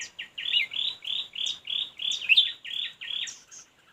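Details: Red-whiskered bulbul in fight-trapping: a steady series of about ten short, rich chirped notes about every third of a second, with a few higher thin notes above.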